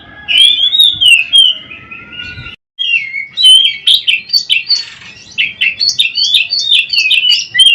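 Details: Caged white-rumped shama, kept as a songbird and played as mastering material for training other shamas, singing loud rich whistled phrases, sliding and warbling, with a short break before a rapid run of varied, jumbled notes.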